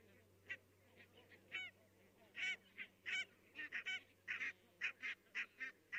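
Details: Barnacle geese in Estonia, 22 October 2017, many calling: sharp, short, yapping barks come in quick irregular succession, nearly two per second, several overlapping, with a distant flock murmur and low hum behind.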